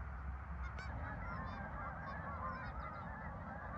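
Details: Flock of geese at a farm park, recorded 10 November 2024: steady overlapping honks and brassy calls filling the whole stretch, with a brief sharp knock early on and constant low rumble beneath.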